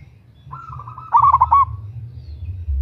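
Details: Local zebra dove, a female calling a male, used as a lure call: a brief burst of quick, stuttering low coos with a steady tonal note beneath, over a faint low background rumble.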